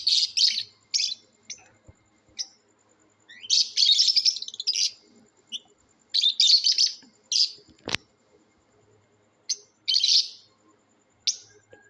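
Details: Lovebirds in a sound competition: bursts of harsh, high chattering chirps, each burst under a second, coming in irregular groups with short silences, plus one sharp click near the middle.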